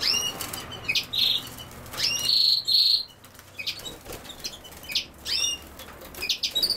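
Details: European goldfinch, named alongside common sow-thistle, sings lively high twittering with sharp rising chirps and short buzzy trills, phrases spaced by brief gaps across about seven seconds.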